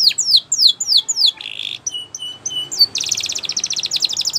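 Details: Training song of a canary: quick descending whistled notes, a short buzzy note, a few clipped high tones, then a fast rattling trill of rapidly repeated high notes.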